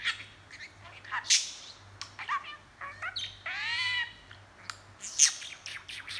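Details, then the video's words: Budgie chatter: scattered high chirps and clicks, then a longer buzzy, harmonic-rich warble near the middle, followed by more sharp tweets at the end. "Budgie talking & chattering"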